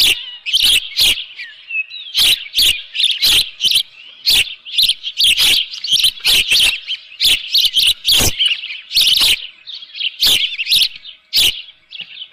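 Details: At the nest early on a June 2018 morning, an osprey with a live fish gives long runs of high chirping calls, steady and insistent, mixed with frequent loud clattering bursts throughout.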